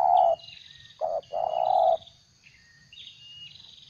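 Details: A trapping decoy spotted dove coos in 'gagap' style: a short hoot, then a clipped note and a longer coo, followed by quiet with faint high whistles and chirps of other birds.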